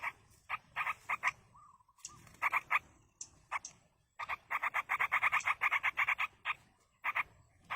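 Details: Wild yellow-vented bulbul nestlings begging while being fed by a parent: scratchy, pulsed notes in quick series, with a brief soft warbled phrase early on and a dense, insistent run in the second half.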